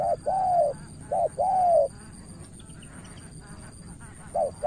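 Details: Spotted dove in Cà Mau, Vietnam: a decoy bird calling against a seasoned rival. Mid-pitched coos, each a short note followed by a longer slightly falling note, repeated with pauses and a faint background hiss.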